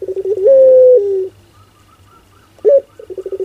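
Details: Pelung-style ringneck dove cooing: the end of a long, steady drawn-out coo that falls away, a quiet pause with faint distant chirps, then a sharp upward note and a run of stuttering pulsed coos beginning again.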